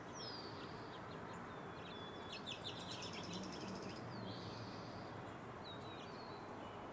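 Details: Anna's hummingbird in a backyard in the Sierra foothills, California, on 8 April gives thin, very high chips and a brief scratchy burst, faint over steady low background rumble.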